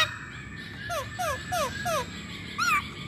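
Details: Masked laughingthrush singing, played as a lure to prompt others of its kind to sing: a series of short, clear whistles each sliding downward, spaced evenly, ending with a louder sharply falling note over steady background hiss.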